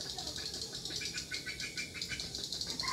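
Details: Lure sound for swiftlets at a mini bird house, drawing a strong response: busy, high twittering chirps pulse rapidly and unevenly over a steady hiss-like background.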